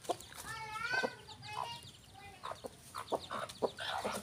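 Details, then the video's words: Farm rooster and hen: drawn-out, harmonic-rich squawks rising and falling in the first second and a half, then short sharp clucks repeated every half second, with faint high chirping behind. "rooster & hen farm animal"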